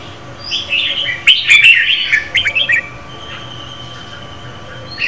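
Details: Singing female red-whiskered bulbul, stimulating a male: soft notes open, then a loud burst of rapid chirpy warbling lasting about two seconds, followed by quieter thin whistles and a low background hum.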